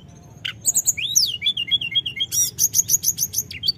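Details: Snowy-browed flycatcher (tledekan gunung) calling in 'gacor ngerol' style: a falling slurred whistle runs into a string of short level notes, then quick high chirps repeated about twice a second.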